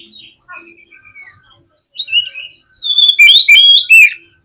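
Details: Oriental magpie-robin singing a fast, agitated song to provoke rival birds: soft scattered whistles at first, then from the third second a loud burst of sharp, rising and falling whistles and buzzy trills.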